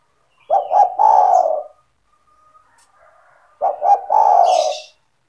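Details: Kept spotted dove (tekukur) calling steadily, its voice meant to attract other spotted doves: two phrases of two clipped notes and a lengthy soft descending coo, a faint hiss following the second.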